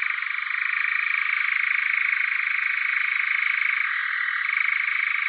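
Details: European nightjar (Caprimulgus europaeus) churring without a break: a dry, rapid, mechanical trill that drops briefly in pitch before returning to its original tone.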